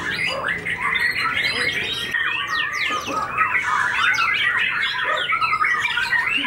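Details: Post-moult white-rumped shama, a stable fighter with white tail feathers, pouring out a tangled, rapid stream of chirps, sweeps and rattles, busy and unbroken, with crowd-like noise underneath.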